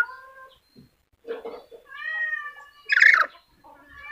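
A Black-capped lory gives a few drawn-out, nasal, almost meow-like tonal calls, then one short harsh rasping screech near the end.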